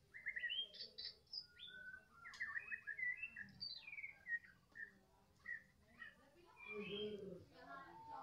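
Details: White-rumped shama of the Medan type in afternoon song: varied whistled and slurred phrases over a noisy low hum, with a brief sharp click and some low rough sounds near the end.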